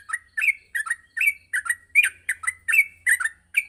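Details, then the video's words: Yellow-vented bulbul morning training song for young birds; bubbly chirps and slurred whistled notes repeated rapidly, close and clear, with a faint low hum in the background. "masteran pagi burung trucuk untuk melatih trucuk agar cepat ngropel"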